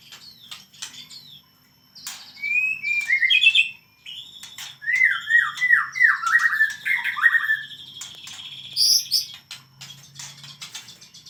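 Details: White-rumped shama in wild, frenzied song: scratchy chips give way to a rapid descending series of slurred whistled notes, then buzzy harsh phrases and high sharp notes. The bird is loud and close, and the background is quiet.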